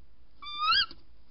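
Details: Tawny owl at night, second visit, early hours of 14 January 2019: one half-second call sliding gently upward and ending in a brief louder swell, clear and harmonic, followed by a faint click.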